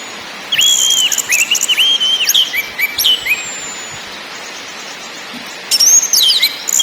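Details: Orange-headed thrush song in ngakrak, ngeplong and nyiul styles: rich whistled notes stepping up and down in a flowing phrase, with a long thin high whistle and brief high rattles after a pause.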